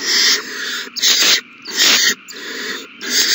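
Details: Owl chicks begging while being fed, recorded 27 March 2020; long harsh hissing bursts overlap and run together, broken by brief quieter gaps.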